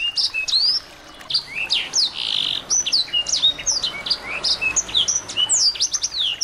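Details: Small birds used to spur a white-rumped shama into singing: loud high chirping, a short pause after the opening, then a rapid stream of slurred whistles and buzzy chirps.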